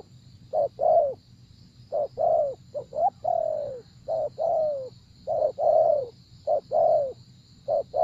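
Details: Cooing spotted dove used in decoy trapping, giving repeated two-part phrases, a brief clipped note then a drawn-out falling coo, several phrases in quick succession over a quiet, faintly hissing background.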